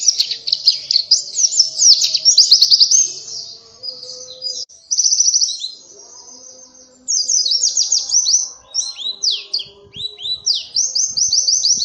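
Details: Lively, nonstop Oriental white-eye song suited as a lure: bursts of rapid high trilled chirps, a short pause near the middle, then further quick descending twitters.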